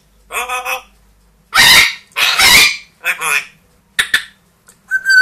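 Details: Indoor pet grey parrot, two years old, and Amazon, one year old, calling: nasal honk-like syllables followed by loud, harsh broadband screams, more clipped squawks, and a final clear whistled note.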